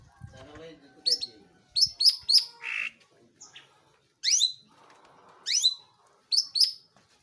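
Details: Long-tailed shrike in vigorous song, giving sharp, buzzy down-slurred notes, some doubled or tripled in quick succession, separated by short pauses, with a soft rasp in the gaps.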